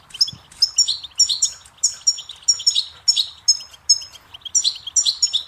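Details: Goldfinches singing on a tutor recording for young songbirds, a rapid run of high, tinkling twittered phrases, each a cluster of quick chirps, repeated about every half second in a lively, continuous stream.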